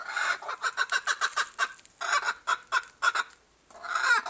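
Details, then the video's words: A silver Appenzeller hen gives quick bursts of raspy, mid-pitched clucks, about five per second, pausing briefly between runs, then a longer drawn-out squawk. "Silver appenzeller chicken making noise"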